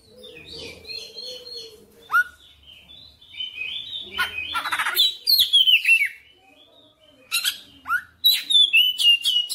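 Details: Oriental magpie-robin in energetic 'ngotot gacor' song showing off its full material: soft warbling, then dense bursts of varied whistles, harsh chattering notes and clear rising-falling slurs, building into a rapid busy stretch toward the end.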